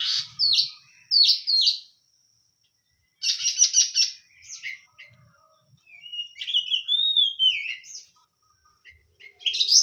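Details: Oriental magpie-robin, known as kacer, pouring out loud repeated downslurred whistles, a rattling buzzy burst, then a smooth wavering whistled phrase, with brief pauses between bursts.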